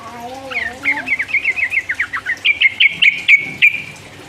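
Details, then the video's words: Sooty-headed bulbul singing in the rapid 'ropel uplik uplik' style, played as a lure to provoke rival birds. A low wavering tone opens, then quick bright whistled notes repeat about four times a second, growing louder toward the end. "trucuk gacor ropel uplik uplik merangsang lawan"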